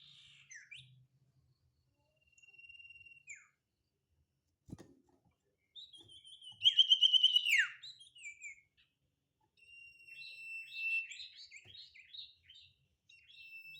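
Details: Sirtu singing in lively form: scattered high, thin whistled notes, then a loud run of sharp descending chirps and a falling slur, followed by a steady whistled tone broken by quick repeated chips.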